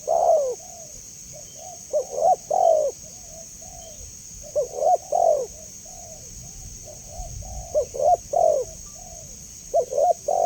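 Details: Clear-voiced spotted dove, presented as lure and training material, repeating phrases of low hooting coos with soft connecting notes, each phrase about two seconds apart. A constant thin high tone runs beneath.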